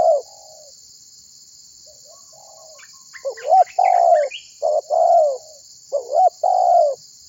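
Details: Spotted dove calling other birds to sing: a faint coo, a quiet pause with scattered soft notes and chirps, then a loud series of hooked rising notes and long falling coos.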